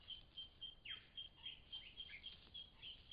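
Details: A lyrebird in Cape Liptrap Coastal Park gives quick, high, clear notes about four times a second, broken by a sharp downward-swooping whistle and scattered chirps. The song is fairly faint.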